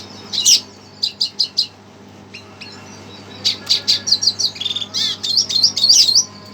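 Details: Red siskin worked up by a recording: a few isolated sharp chirps, a short lull, then a lively stream of high twitters and buzzy trills.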